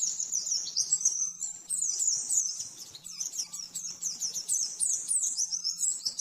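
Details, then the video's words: Rapid 'nembak-nembak' master song of a pleci (oriental white-eye), used to train caged birds. Dense, shrill, unbroken twittering of fast slurred notes racing up and down, with a steady faint low hum underneath. "Masteran burung pleci nembak-nembak"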